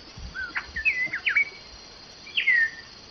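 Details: Common starling song made of varied slurred whistles, some rising and some falling, strung together in a fast jumble, then a longer downward whistle after a short pause.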